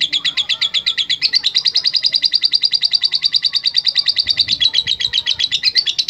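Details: Long ngekek trill from a lovebird in full voice: a fast, even stream of sharp, high, buzzy notes running unbroken for around six seconds, steady in pitch, with faint low background noise.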